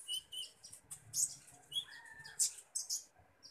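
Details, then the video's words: Common iora chirping during feeding: short high chirps mixed with a few clear whistled notes, one slightly rising, spaced through a few seconds. "burung konin ijoan"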